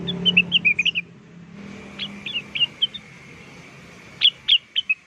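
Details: Blue-winged leafbird lure song: short runs of sweet whistled notes, some sharp upslurred chips, separated by pauses, over low background hum and a faint steady tone.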